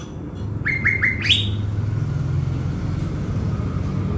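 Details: Blue-winged leafbird kept as a decoy in Bình Thuận, Vietnam. Four brisk rising whistles end on a higher slurred note. A loud low engine-like rumble runs throughout.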